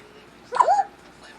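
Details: African grey parrot, a pet bird known for funny and wacky noises, giving one short tonal call that bends upward then slides down, in a quiet indoor room.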